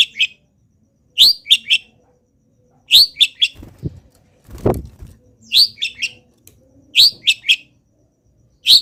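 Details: A moulting local long-tailed shrike keeps singing, filling its song with imitations of wild birds: clusters of two or three quick upslurred whistles roughly every one and a half seconds, interrupted by a dull thump.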